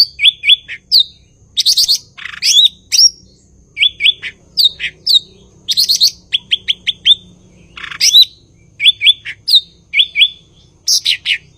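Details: Energetic cucak ijo (blue-winged leafbird) song: paired rising whistles, bursts of high chatter and runs of four to five quick identical notes, phrases repeating for about eleven seconds, a soft low hum behind.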